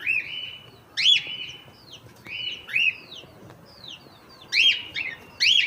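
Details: Hand-tame pet cockatiel calling: loud rising-and-falling whistled calls, several overlapping, repeated in bursts about every one to two seconds, harsh chirps mixed in.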